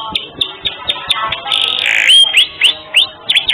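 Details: Canary performing lively song for a bird-training master track: spaced short chirps, then a buzzy swell and a run of bright rising whistled notes.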